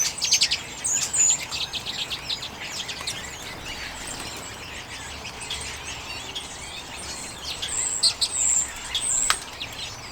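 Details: Common redpolls (Carduelis flammea) feeding on sunflower seeds in late January 2022, recorded with a Canon EOS M50: a busy mix of short, high twittering chirps, with several louder bursts near the start and again around eight seconds.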